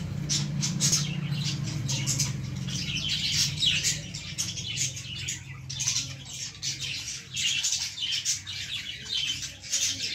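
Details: Several high, harsh squeaks and chirps from baby lovebirds in a plant come in uneven bursts, thinning out toward the end, with a low droning hum beneath.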